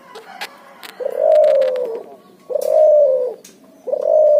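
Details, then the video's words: Cuhu, a bred hybrid of Barbary dove and spotted dove, giving lively ngoar nguku cooing: three long, low, steady coos with a slight falling tail, spaced about a second and a half apart, preceded by soft short notes. "suara burung cuhu gacor ngoar nguku hasil silang puterxtekukur"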